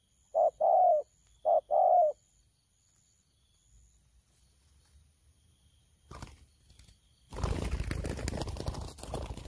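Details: Wild-caught spotted dove giving a 'thổ pha' style coo, recorded 12 October 2019. Two short bursts of low, hollow cooing come within the first two seconds. A quiet stretch with a faint steady hum follows, then loud rustling and handling noise to the end.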